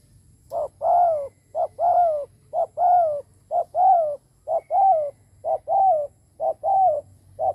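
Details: Spotted dove decoy cooing intensely to draw in others: rapid, regular pairs of a short clipped note and a longer arched coo, roughly one each second, loud and clear.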